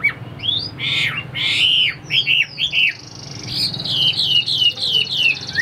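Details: Caged Chinese hwamei offered for sale, about 85% tame and not yet in full condition, singing loud slurred whistles: rising and falling notes, then a run of quick downward-curving phrases over faint room hum.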